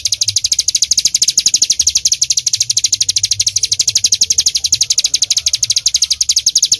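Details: Continuous shooting-style song of the ciblek gunung, or bar-winged prinia, used for training songbirds: high, metallic chirps fired in quick succession, roughly three per second, over a soft low hum.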